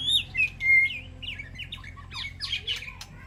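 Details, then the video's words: Clear whistled phrases from a White-rumped shama calling to its flock in an aviary sanctuary, with a few pure sliding notes followed by jumbled, quicker twittering fragments. "Sound of White-rumped Shama Call to Flock"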